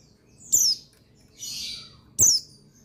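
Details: Buxtoni white-eye (pleci) male; two sharp, very high descending chirps about a second and a half apart, with a softer hissy burst between them over low background noise.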